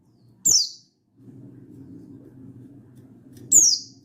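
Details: Mountain white-eye in wild-style voice calling a rival, dated 16/8/22, gives two piercing descending chirps three seconds apart, separated by a steady low droning hum.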